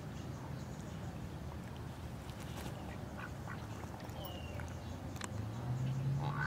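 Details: A male Pekin duck in the water at Rainbow Lake, Lakeside, Arizona, gives short, low quacks now and then over a steady noisy background, with a brief higher call near the end.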